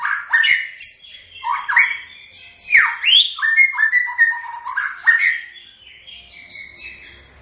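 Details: White-rumped shama singing its typical song: a loud stream of varied whistles, sharp downward swoops and short chattering notes in quick succession. The phrases fade into softer, higher whistles near the end.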